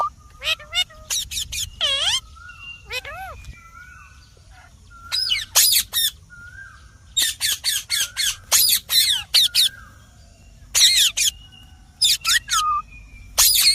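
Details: Long bout of green parrot calling: whistled swooping notes and chatter interspersed with clusters of piercing raspy squawks, repeated in quick runs throughout.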